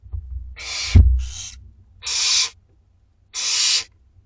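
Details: Two-week-old Barn Owl owlets in a school garden nest at dinner time, giving harsh, broadband hissing screeches of about half a second, spaced irregularly, with low thumps and rustling from the nest.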